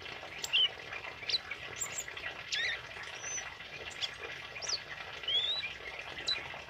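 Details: A tame male kemade in full song, recorded for training other birds, gives scattered high whistled notes, some rising, some short and slurred, a few per second, over constant low hiss.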